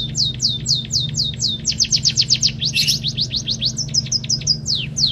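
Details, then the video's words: Pipit kaji munia giving its learned canary song, a lively chain of bright, downward-sweeping whistled notes repeated roughly four times per second, with a short rough buzz in the middle and a steady low hum underneath. "BURUNG PIPIT KAJI ISIAN KENARI GACOR"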